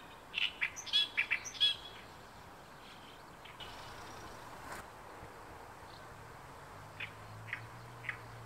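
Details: An Oriental reed warbler declaring its territory at Inuyama, Japan, on 28 May 2022 gives a quick burst of harsh, chattering notes for under two seconds, then a few scattered calls over a low background hum.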